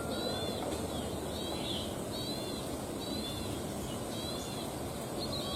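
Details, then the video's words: Wild plain prinia in paddy fields producing a string of thin, slightly buzzy high notes in quick succession, with constant low environmental hiss underneath. "suara asli dari alam ciblek sawah"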